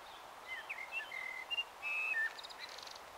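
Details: At dusk in Taunton, Somerset, on 21 March 2018 near 18:12, a common blackbird delivers a quick string of clear fluty whistles, one held steady note, then a scratchy high twitter to finish.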